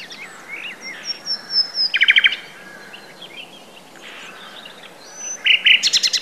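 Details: A common nightingale sings at Woods Mill nature reserve, Sussex: varied phrases of thin whistles and slurred notes, then bursts of rapid, loud chattering repeated notes twice within six seconds, over a faint rural background.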